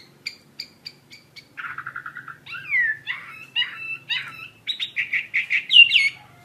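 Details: Chinese hwamei song opening with spaced high ticks, then a rapid buzzy trill and varied warbled, rising phrases that build in loudness.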